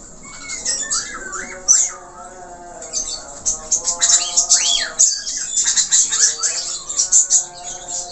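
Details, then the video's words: Budgerigar singing 'gacor' with plentiful filler notes: a falling whistle, then arched warbled slurs building into a fast, dense chatter of chirps. "FALK/parkit Australia Gacor,Isian Banyak"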